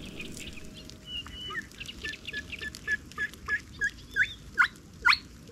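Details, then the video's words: A Little Crake singing from reeds at night near its nest: a series of short, yapping notes, about two a second, growing louder toward the end over a low, steady background hiss. "Гнездо и голос малого погоныша"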